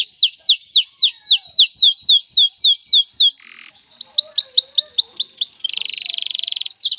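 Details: Male canary song aimed at bringing a female into breeding condition and nest building: a series of clear descending whistles, a brief pause with a soft noise, then faster rising notes and a buzzy trill.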